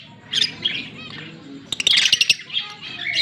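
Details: A green Fischer's lovebird pair (Agapornis fischeri), recorded 16 October 2023, chattering in a chirping song of shrill, high chirps and scratchy squeaks, with a rapid burst of sharp clicks and tweets in the middle.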